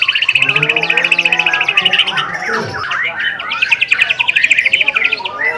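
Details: Kept white-rumped shama delivering tembakan song bursts: rapid trains of sharp repeated notes, then a fast rattling run of piercing, even chips, with varied whistled phrases between the bursts.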